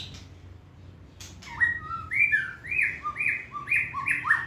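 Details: Hand-tame white-rumped shama kept for competition singing delivers a steady string of rich whistled notes, alternating higher and lower, about two per second, after a brief sharp click.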